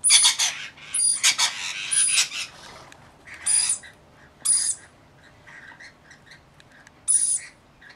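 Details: Rainbow lorikeets from a flock of about 40 tending one baby; bursts of shrill, harsh screeching squawks in irregular clusters, separated by quieter gaps with faint softer chatter.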